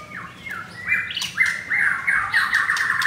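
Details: Captive white-rumped shama of the Pastol Blorok line, recorded on Thursday 19 May, singing a loud, fast run of varied whistled and slurred notes, some sliding down, others chattering and harsh, delivered continuously without pause.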